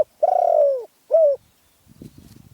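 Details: Spotted dove from Phrae, Thailand, with a small, fierce-sounding voice, giving a long, mellow coo that slides slowly downward, then a shorter arched coo. Faint low rustling follows.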